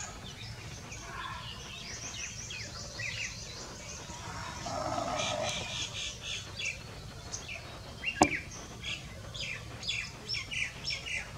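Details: In March 2020 at Bhakrakot village, Mohaan, Uttarakhand, India, red-rumped swallows give short, high chirps and twitters, scattered unevenly through the clip, over steady outdoor background noise and a single sharp click.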